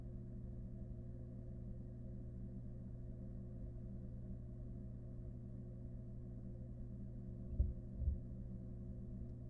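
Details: Constant low electrical hum indoors, broken near the end by two soft thuds.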